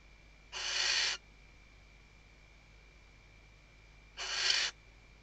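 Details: Female Western barn owl at a nest-box webcam in Riet Vell Nature Reserve, Ebro Delta, Tarragona, Spain, 2023 season, stuffing the nest and calling the male: two harsh, hissing screeches about half a second long, separated by a three-second pause, over a steady hum.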